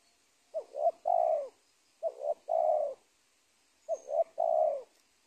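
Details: Spotted dove in the wild, the dominant bird of a former corn garden at a teak plantation's edge before being caught, delivering three measured cooing phrases of two short rising notes and one extended falling coo.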